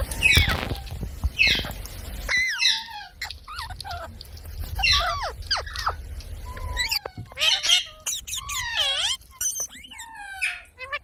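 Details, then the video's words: Parrot vocalizing in a varied series of short harmonic chirps, rising and falling whistles and squawky bursts, spaced irregularly across the recording, with rumbling background noise early on. "Parrot Sound Videos | Parrot Sounds | Parrot Video | Talking Videos Compilation"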